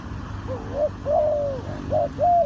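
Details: Spotted dove in Ninh Thuận, Vietnam, recorded around bird trapping: clear, mellow coos, a short note rising into a long level hoot, then a pair of quick coos, with faint low background rumble.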